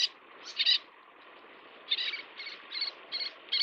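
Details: Little tern (Sternula albifrons) feeding chicks: a pair of scratchy calls, a quiet gap, then a steady series of five short harsh notes over background hiss.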